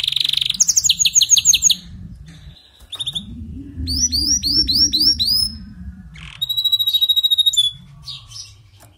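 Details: Canary song for a canary weak in singing: pulsed trills, then a series of rising chirps and a long level whistle, with a low rumbling hum in the background.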